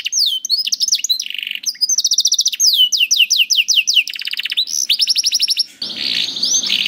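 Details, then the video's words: Song of a canary meant to teach young canaries to sing: long runs of rapid downslurred chips and buzzy trills, ending in a rough, noisier passage. "MASTERAN KENARI AMPUH UNTUK KENARI PAUD DAN SUSAH BUNYI"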